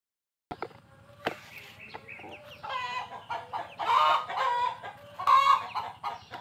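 Chickens cluck and squawk in harsh, uneven bursts that grow louder and busier toward the end, with overlapping calls from several birds.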